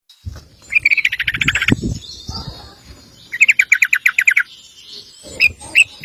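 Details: Sooty-headed bulbul giving a long rapid 'ropel' song, used as a master recording for training other birds: two fast bursts of bright, clipped notes, each run about a second long, with a faint low rumble beneath.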